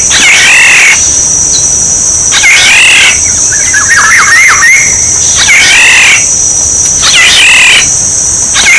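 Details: Decoy Black-naped oriole: repeated harsh nasal calls roughly every one and a half seconds, interrupted midway by a run of fluty swooping whistles, all over a steady high whine.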